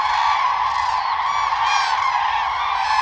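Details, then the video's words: Common cranes in the mating season, calling during the courtship dance. A dense, unbroken chorus of many overlapping trumpeting, honking calls stacked with bright harmonics, with slightly higher wavering notes rising above the mass. "Crane bird sound"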